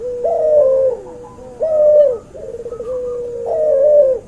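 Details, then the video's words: Crossbred dove, white albino Barbary dove by pelung Barbary dove, cooing for masteran: three strong, low, slightly wavering coos, each trailing into a quieter drawn-out level tone between them. "MASTERAN BURUNG CUHU HASIL SILANGAN PUTER ALBINO PUTIH VS PUTER PELUNG"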